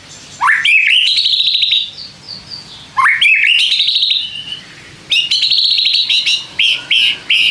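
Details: White-rumped shama song used to provoke other shamas into responding: loud rising whistled notes sweeping into rapid rattling trills, phrases repeated about every two and a half seconds with short pauses.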